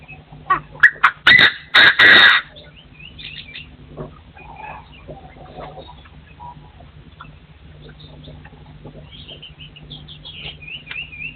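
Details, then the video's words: Partridges crowing in 2024, a lure bird in forest: a quick series of loud, rasping bursts early on, followed by quieter scattered chirps and faint high twittering in the background. "The latest sound of partridges in 2024 crowing"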